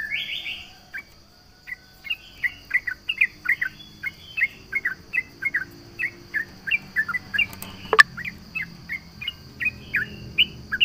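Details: Rival-taunting song of a yellow-vented bulbul: evenly spaced, short, slurred chirps repeated steadily, with a loud sharp knock partway through and a continuous high-pitched hum behind.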